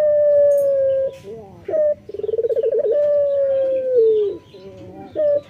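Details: Energetic morning cooing from a male local puter dove. A long, even, low tone, a short clipped note, a rapid throbbing roll, and then another sustained coo that dips at its end before a final short note.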